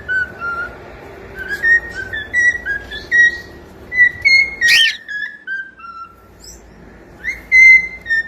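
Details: Pet cockatiel song made of clear whistled notes, each sliding up or down. The notes come in short spaced phrases with gaps of silence, with one brief sharp scratchy sound in the middle.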